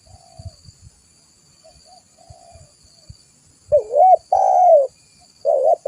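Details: Lively spotted dove (tekukur) calling for a bird-luring recording. Soft thumps and faint low coos come first, then three loud mellow coos: a hooked note, a long falling one, and another short wavering coo.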